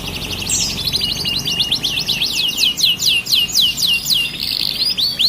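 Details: Starblue canary in full, continuous song: fast, high, rattling trills of repeated sweeping notes, shifting from one rapid phrase to the next, over a steady low background hum.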